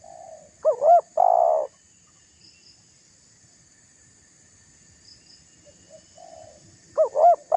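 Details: Spotted dove cooing hard to goad a rival: one loud phrase of two short rising notes and a long rolling coo, then near silence with a faint distant coo before the next phrase begins.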